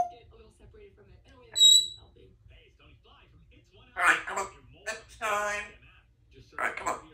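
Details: A female Congo African grey parrot practising her words and sounds at home mutters speech-like phrases in short bursts, with a sharp high whistle near the start, in a quiet room.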